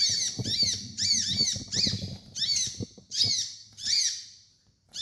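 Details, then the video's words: Sunbird (kolibri ninja) giving a master song for training birds. Repeated high chattering bursts with downslurred notes come in an uneven rhythm over steady low rustling and thumping noise. "MASTERAN KOLIBRI NINJA DAN TERAPI KONIN BAHAN"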